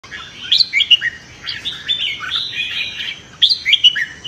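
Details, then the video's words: Red-whiskered bulbul singing competitively in the morning, voice training meant to stir newly caught birds; bright whistled, warbling phrases in quick bursts, a loud cluster near the start and another after a brief pause. "Chào Mào Hót Đấu - Chào Mào Hót Sáng Luyện Giọng Kích Bổi Hót Đấu Căng Lửa"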